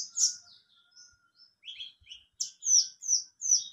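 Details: Mountain white-eye, a bird able to sing the ngalas and nembak styles, giving scattered high chirps, then a series of sharp, evenly spaced descending notes about every third of a second, with faint soft thumps.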